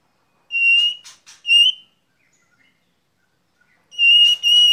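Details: White-rumped shama during sunning, giving loud pure steady whistles with clicks between, a pause, then two more sustained clear whistles.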